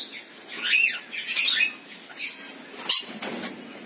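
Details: Rainbow lorikeet (Trichoglossus haematodus) calling: harsh, high, rasping screeches, five or six bursts in under four seconds, with a faint background hiss.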